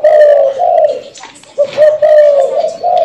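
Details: Spotted dove in Ho Chi Minh City, sent by a customer, cooing steadily: low, rolling coo phrases follow almost without a break, with a brief dip and a faint clatter midway; indoors.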